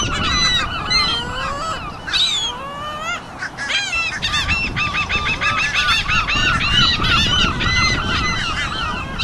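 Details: A flock of seagulls calling together one afternoon: overlapping nasal, arched mewing cries, many voices tumbling over each other in quick, irregular bursts, with a low rumble of background noise underneath.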